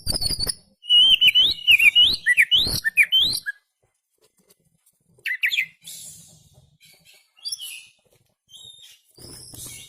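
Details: Oriental magpie-robin, lure recording of a bird singing with its tail open: about three seconds of loud, wavering whistled phrases, then quiet with scattered faint chirps and rustling.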